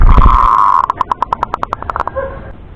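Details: Male local zebra dove from Indonesia singing clearly: one long steady coo, then a string of about a dozen short, evenly spaced pulsed notes that speed up slightly before a soft low ending.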